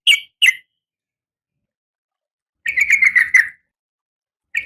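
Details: A female oriental magpie-robin in breeding condition calls to the male with two sharp chirps, a long silence, then a brief rapid buzzy trill and a final note.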